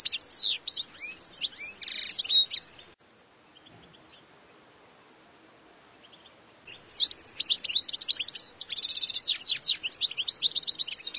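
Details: A wild European goldfinch sings a rapid, liquid twitter of high tinkling notes and buzzy trills in two bursts separated by a few seconds of quiet; each wild goldfinch has its own unique song.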